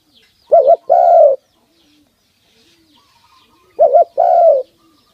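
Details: A captive pet male dove that is fed, handled and sings whenever its owner approaches gives two paired phrases about three seconds apart, each a short hollow double note followed by a longer, slightly falling coo.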